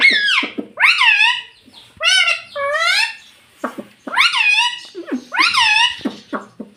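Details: Talking pet parrot (tota) mimicking "mitthu" and "mummy": a rapid string of bright, harmonic, word-like syllables in short pairs and triplets, each swooping up and down in pitch, with no background noise.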